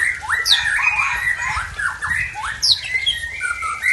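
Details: Murai tangse (white-rumped shama) from Aceh singing varied song with unusual mimicked fill-in phrases: rapid run of whistled upslurs and downslurs, sharp high chirps near the start and middle, continuous chattering notes throughout.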